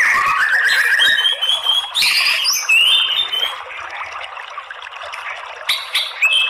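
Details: Shama song used as a lure to trigger fighting song in males: varied whistles and harsh notes, loud at first, then fading into a quieter, softer stretch before a few closing sharp notes.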